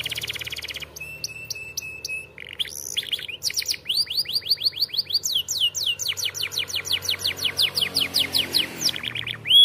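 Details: Canary singing for training young canaries: a steady high whistled tone with clipped notes, then rapid sweeping syllables building into long fast rolling trills of repeated descending notes.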